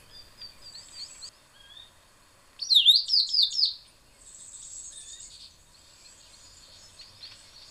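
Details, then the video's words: A tricolored brushfinch (Atlapetes tricolor) sings a loud burst of high, sweet, slurred notes lasting around three seconds, amid softer thin whistles and chips from other small birds. "O canto do Tico Tico tricolor"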